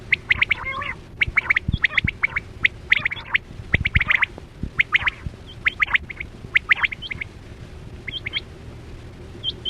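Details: Quail call played as a hunting lure for netting quail in the 2024-25 season, a dense run of quick, sharp whistled notes in tight groups, some rasping bursts mixed in, over a constant low hum.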